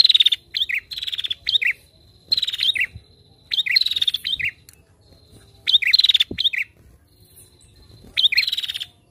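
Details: Lure recording of a lively female prinia: short, high, buzzy trills, each opening with a sharp upslurred note. About seven bursts come at uneven intervals over nine seconds, with a faint thud in the background.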